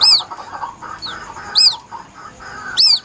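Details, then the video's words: White-breasted waterhen chick calling, used as a lure for hunting: three sharp, high, arched peeps spaced over a second apart, with a fainter note between them and soft background chatter. "Suara anak burung ruak ruak asli nelangsa"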